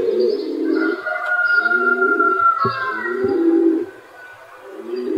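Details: A flock of rock pigeons (Columba livia) cooing together in low, soft, rolling murmurs that overlap continuously, with a thin higher whistle briefly running through the background.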